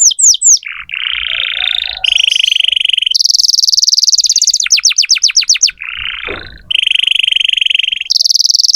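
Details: Atlantic canary, a prolific singer played to tutor young canaries, delivering loud high-pitched song in changing tours: sweeping whistled notes, steady buzzy trills, then rapid falling notes repeated about four per second, switching phrase every second or so.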